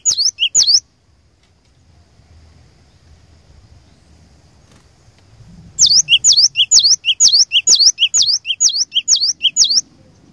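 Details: Cinereous tit kept as a lure to challenge other birds: a brief opening of two high phrases, a quiet gap of soft low noise, then a steady string of about ten sharp paired whistles repeated twice per second.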